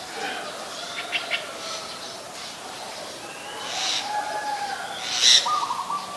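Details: Streak-eared bulbul, a very common resident, recorded at Ubon Ratchathani, Thailand, on 29 February 2020: a few short, harsh chirping bursts, the loudest near the end. Softer steady tonal notes from other birds and light background hiss run underneath.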